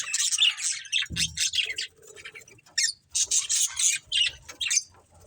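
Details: Budgie breeding pair warbling in bursts of harsh, rapid chatter separated by brief pauses, with a dull thump after the first second.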